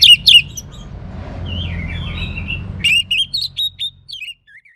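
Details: Orange-headed thrush giving two sharp opening notes, a soft rambling warble, then a clear series of about six short whistled notes, each slurring up or down, fading at the end over a faint hum.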